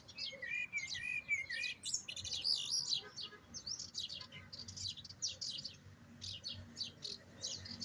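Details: European goldfinch taught the Jahmoumia style in a singing session: opens with a warbling, wavering whistled phrase, then a steady stream of sharp, high, repeated chirps.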